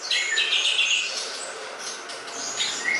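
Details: Greater green leafbird (cucak ijo) in a tutor recording for songbird training: dense, rapid high chattering and twittering phrases with scratchy trills and short whistled notes, ending on a clear whistle.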